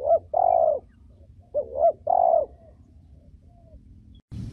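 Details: Cooing of a female spotted dove, kept for training decoys and young birds: two mellow phrases, each a short note followed by a longer, warbling coo, with a pause between them and a soft knock at the end.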